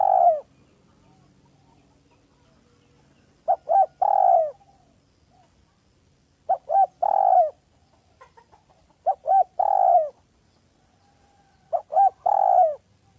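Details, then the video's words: Village spotted dove lure call, described as smooth and clear: repeated cooing phrases of two or three short notes followed by a longer falling coo, spaced roughly every three seconds against quiet background. "Dekukur kampung yang gacor || SUARA HALUS DAN JERNIH PEMIKAT ANDALAN ||"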